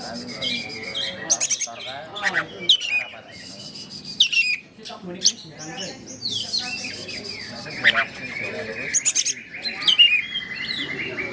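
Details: An Oriental magpie-robin (Copsychus saularis) sings to provoke a response from another bird: a varied, loud run of sharp whistles, harsh chatters and rapid trills, with bright notes bursting every second or two.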